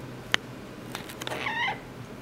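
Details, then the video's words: Twelve-year-old female pet double yellow-headed amazon parrot, which talks and sings but hates the camera, gives one short, meow-like wavering call after a sharp click and a few soft taps in a quiet room. "Talking & Singing Double Yellow-head Amazon Parrot"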